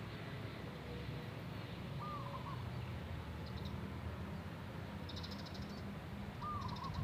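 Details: Wild local zebra dove: two quick rolling coo phrases roughly four seconds apart, soft and mid-pitched, with faint insect-like buzzing bursts and a low continuous rumble behind.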